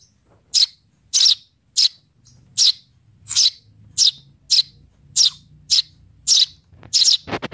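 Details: Young Eurasian tree sparrow calling for its mother, giving a steady run of short, piercing chirps roughly every 0.6 seconds, closing with a burst of rapid clicks.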